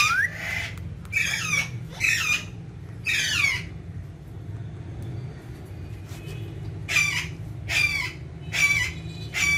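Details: Green ringneck parrot at a mirror gives loud, harsh, wavering squawks in regular bursts, about one a second, with a short pause before a second series of raspy calls ending in flat whistled tones.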